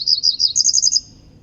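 A Cerulean Warbler's high, buzzy song: several quick rough notes, then a faster, higher run of notes ending in a thin buzz, over a faint low background hum.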